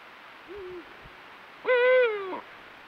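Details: Courtship night of a Eurasian eagle-owl in the breeding season. A soft low hoot comes first, then a louder, higher, strained call that holds and slowly falls over about three quarters of a second.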